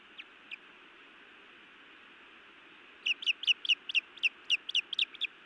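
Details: Female osprey scolding, then biting, her mate at a Montana nest on 31 May 2017 in the evening: two faint lone chirps, a quiet gap, then a rapid burst of about eleven sharp, piercing chirps.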